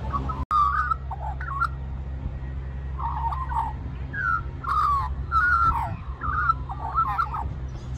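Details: A little magpie at Cirillo Reserve, Middleton Grange, New South Wales, Australia, at lunchtime sings soft, mellow warbled phrases rising and falling in short bursts over a steady low hum, begging for more mango.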